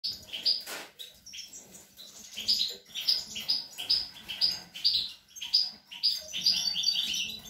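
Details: European goldfinch feeding its young, recorded 25 April 2021: bright, liquid twittering high in pitch, tinkling notes in quick bursts about twice a second, with a faint low hum underneath.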